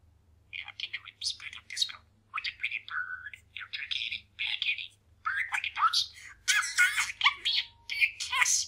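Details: Male pet parakeet talking and mumbling indoors as he practises new sayings, a fast stream of buzzy, squeaky speech-like syllables with brief gaps, growing louder and harsher toward the end, low hum in background.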